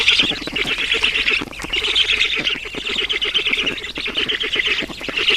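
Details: Black storks at an Estonian nest during feeding, 11 June 2019: hoarse hissing squawks in quick trains of pulses, with a short dip in loudness around the middle.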